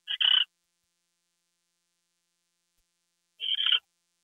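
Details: Owl at night, 2 February 2013 at 10:43 PM, during a gopher delivery. Two rasping, stuttered screeches sound about three seconds apart, with silence in between.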